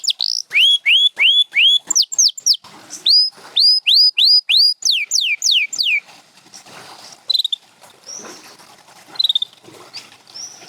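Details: Canary song opening with evenly repeated rising whistles and falling notes for about six seconds, then fading to quiet background hiss with a few scattered faint notes.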